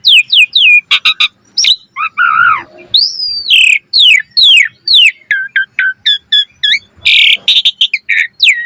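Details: Asian pied starling singing an energetic, highly varied song meant to prompt other starlings to sing: falling whistled slurs, quick clicks, a low warbled phrase and harsh rasping bursts, delivered in rapid succession.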